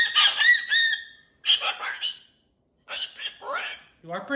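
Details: Pet cockatoo in its cage with new jingly toys, talking: three bursts of raspy, speech-like chatter with gaps of silence between them. The last burst is lower and rougher. Indoors.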